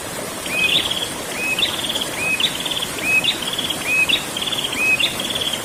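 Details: Fast run of a prinia's rolling ngerol song, with whistle-and-buzz phrases following one another about every 0.8 seconds over a constant hissing background.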